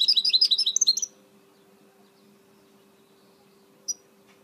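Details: A goldfinch mule gives one second of quick, high chattering notes. Near-silence follows, broken by a single sharp chip, with a constant low hum in the background.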